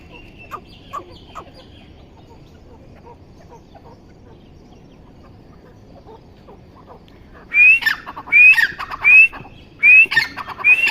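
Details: Grey francolin: several seconds of faint background noise, then four loud calls near the end, each a rising whistle followed by rapid harsh notes.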